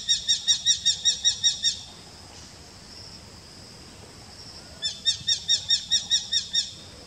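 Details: Eurasian hobby, a small slim falcon, calling: a fast series of sharp, high, evenly spaced notes, about eight in under two seconds. After a pause with soft background hiss, a second similar rapid series follows.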